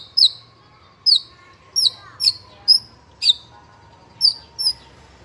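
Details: Spotted young white-rumped shama in fighter style, used as a lure to make other juveniles sing; high, sharp, downslurred notes spaced unevenly under a steady faint hum.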